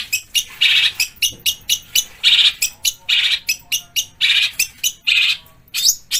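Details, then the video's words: Long-tailed shrike, rough training phrases said to mimic fighting tree sparrows and kingfisher: loud separate harsh bursts, roughly two per second, some longer buzzy squawks, with short gaps between. "MASTERAN PENTET FULL TEMBAKAN KASAR GEREJA TARUNG_TENGKEK BUTO_KUNTI!!!"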